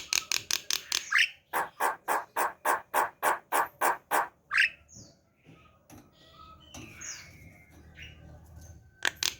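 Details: Javan pied starling kept at home: a fast run of about a dozen harsh, rattling notes repeated rapidly, then softer scattered chirps and whistles, ending in more harsh bursts.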